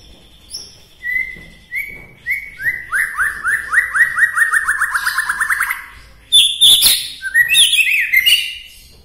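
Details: Bahorok white-rumped shama from Medan, whose song is said to excite rival shamas, delivers whistled notes building into a long accelerating run of upward-sweeping chirps, then a burst of varied higher warbled phrases.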